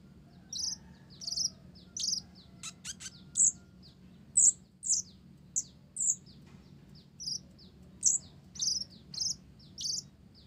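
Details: Energetic blorok (mottled) olive-backed sunbird delivering song laced with Java sparrow phrases: a steady, chattering series of high, bell-like notes about every half second, with brief clicking bursts early on.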